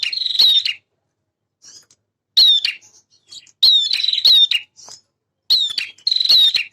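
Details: Male bar-winged prinia giving repeated short high whistled phrases with buzzy trailing notes, bursts roughly every second after an early pause, clean and close.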